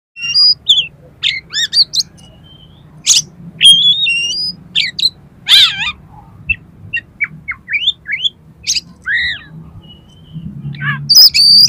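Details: Oriental magpie-robin (kacer) in full, steady song packed with learned filler material, meant to prompt competition birds: varied sharp chirps, rising and wavering whistles, and buzzy bursts separated by short pauses, ending in a sustained high whistle, with faint low hum.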